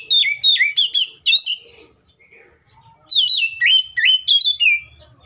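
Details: Kacer, an Oriental magpie-robin, in full agitated fighting song meant to provoke rivals into singing: clusters of loud swooping whistles and sharp notes, a short quiet gap with soft chatter, then another rapid burst of varied phrases.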